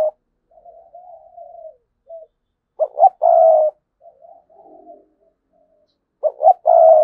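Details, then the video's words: Decoy spotted dove giving cooing in the sa gù and thúc bổi styles: soft, low murmured coos, then two short sharp notes leading into a loud drawn-out coo, heard twice against a quiet background. "Chim Cu Mồi cườm sa gù + thúc bổi nghe là phải gáy"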